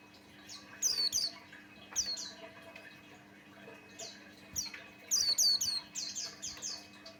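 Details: White-eye of the Buxtoni type giving lure song to draw other white-eyes into song: bursts of high, steeply falling chirps, some doubled, in clusters with brief gaps, the busiest run near the end. A faint hum persists.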